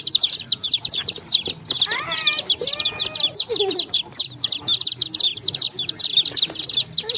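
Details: A flock of baby chicks keeps up a steady high chirping, sharp peeps overlapping continuously, while around two to three seconds a lower, sliding, drawn-out call rises and falls beneath the chorus.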